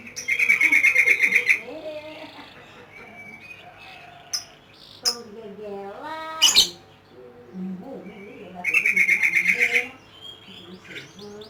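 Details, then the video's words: Lovebird ngekek: a rapid buzzy chattering trill at the start, quieter scattered squeaks and a sharp call in the middle, then a second fast harsh trill near the end. "LOVE BIRD || ngekek 8 kilo meter"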